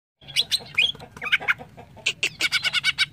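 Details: Greater green leafbird song used as training audio for young birds: sharp varied chirps and short whistled slurs, then a fast burst of about nine clipped, evenly spaced high notes near the end.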